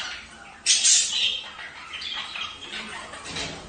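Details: Budgerigar sound meant to encourage mating: a sudden harsh, buzzy squawk burst near the start, then softer scratchy chatter trailing off over the rest of the short stretch.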